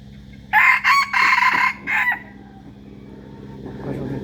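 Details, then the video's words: A rooster gives a loud crow in several broken segments over steady low background hum. Quieter rustling follows afterwards. "noob qaib poj qua zoo heev li"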